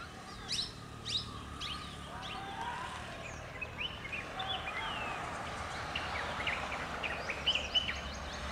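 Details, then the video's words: A female parakeet gives quick, high chirps and short rising squeaks in an uneven, rapid stream, over a steady low background hum. "Popat popat boltos god....a female parakeet"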